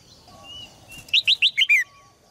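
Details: A caged red-whiskered bulbul, used to spur males into strong singing, gives one quick phrase of five bright whistled notes, the last two slurring downward, after a quiet start with a faint thin whistle.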